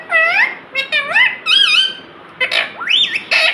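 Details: Pet parrot talking: a string of clear, strongly harmonic voice-like phrases that bend up and down in pitch, separated by short pauses, with faint room hiss behind.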